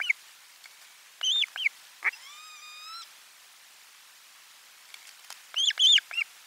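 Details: Osprey nest during a lunch fish delivery, 12 July 2022, live camera: a few sharp whistled chirps, then a long, level harmonic whine, a pause, and a closing burst of loud arched whistles.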